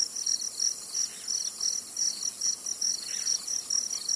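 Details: Zitting cisticola in Tainan, Taiwan, repeating brief piercing notes at a fast, slightly uneven pace, with a steady high insect hum behind.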